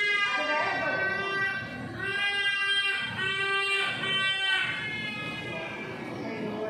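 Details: Trumpeter hornbill at River Wonders on 19 April 2022, giving nasal, wailing calls like a crying baby, in three drawn-out bursts of about a second each over a steady background hiss.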